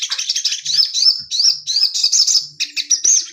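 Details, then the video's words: Male orange-headed thrush kept caged with a female nearby, delivering a continuous high-pitched warble of quick slurred whistles and upward-sweeping notes, barely pausing, with a faint low hum beneath. "Burung sogon jantan di untul pakai betina biar tambah gacor mental stabil"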